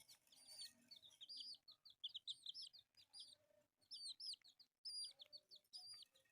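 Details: Playing pet chicks, four colourful birds, call in clustered high peeps, some rising and some falling, in groups separated by short silences, with a faint low tone now and then.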